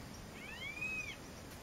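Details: Male Green-barred Woodpecker (Colaptes melanochloros nattereri) at its nest in a fence post, Fazenda Santa Tereza, Pantanal, Brazil, 27 September 2013, gives one drawn-out, high whistled call that rises slightly and falls away, lasting under a second, over a quiet hiss.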